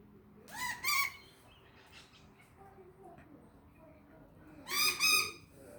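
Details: A swooping magpie attacking a Bengal cat gives two loud, harsh, strongly harmonic calls about four seconds apart.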